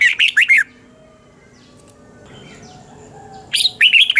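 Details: Red-whiskered bulbul morning song in the double-twist voice, used as a decoy for training other birds. A quick chirpy warbled phrase opens, followed by a quiet pause of about three seconds, then another bright rippling phrase.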